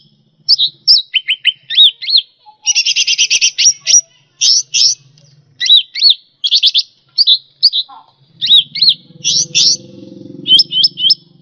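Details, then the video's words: Cucak rante singing on a tutoring recording for pet songbirds. A lively run of high slurred whistles and a dense buzzy rattle, repeated chirp phrases, with a soft low rumble near the end. "Suara Burung Cucak Rante"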